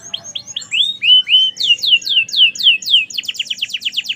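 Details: A gacor merlok canary singing: high thin notes, short rising whistles, then strong downward-sweeping notes at about four per second, ending in a fast rolling trill.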